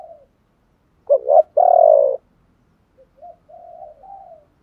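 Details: Spotted dove song for stimulating other doves: two quick rising coos leading into a long, loud sustained coo, then quiet softer cooing afterward.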